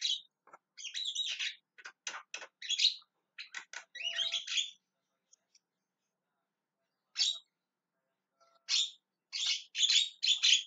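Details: Javan myna calling in bursts of harsh, scratchy squawks and chatter, then a long quiet pause before more loud rasping notes resume toward the end.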